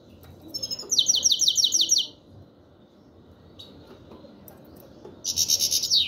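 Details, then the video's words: Black-headed goldfinch giving its 'chir chir' call: a fast series of about six bright, clipped, high chirping notes, a lone faint note, then another rapid chirping burst after a pause. "Щегол чир чир"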